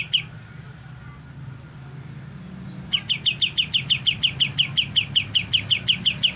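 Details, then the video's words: Young white-eye just beginning to sing: one chirp, then near silence with a pulsing high insect-like whine, then a fast even run of sharp chirps from about three seconds on. A low hum runs throughout. "BURUNG KAPAS TEMBAK MUDA, mulai belajar bunyi"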